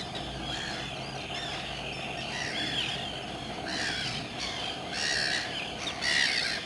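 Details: Common terns at RSPB Saltholme in July 2012: a busy colony of harsh, rasping kee-arr calls, growing louder in bursts toward the end, roughly one strong call per second.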